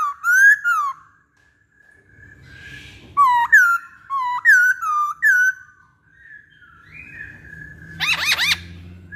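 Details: Masked laughingthrush lure song: a loud slurred whistle, a pause, then a quick run of four rising-and-falling whistled notes, ending with a burst of harsh rapid notes.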